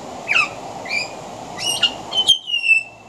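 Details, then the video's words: Pied butcherbird, male, singing by a veranda with mimicry of other Australian birds; squeaky, harsh, harmonic-rich high notes in short bursts, ending in a long sliding whistle that falls slightly in pitch. "Mimicry of the pied butcherbird"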